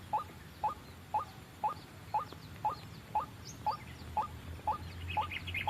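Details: Trapping lure of a white-breasted waterhen: steady short rising notes twice a second, with faint higher chirps and a low hum creeping in near the end.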